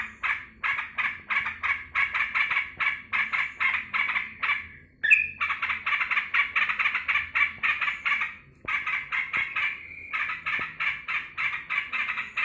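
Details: Caged yellow-vented bulbul, joyful when its owner comes home from work. A long, loud run of rapid bubbly notes with a drawn-out note midway and a couple of short breaks.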